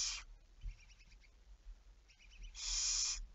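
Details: Barn owl at night, 11 May 2019, 23:34: a clipped rasp at the very start, a quiet pause with faint rapid clicking, then one long, loud, breathy hiss.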